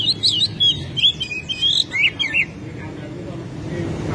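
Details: Oriental magpie-robin singing eagerly, tail spread, showing its repertoire, used to prompt other magpie-robins to sing. Quick phrases of loud, pure whistles and twisting slurred notes fill about two and a half seconds before low background noise.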